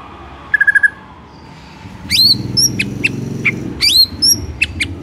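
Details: White-rumped shama in the morning: a brief rapid stutter, quiet, then sharp whistled notes that leap up and drop steeply, spaced irregularly over a low background hum.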